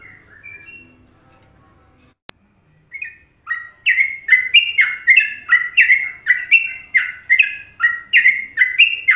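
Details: Sooty-headed bulbul from Indonesia singing the popular Trucukan style, kept as tutor song: a few soft notes and a sharp click, then loud, bubbly whistled phrases dipping and rising, repeated about twice a second.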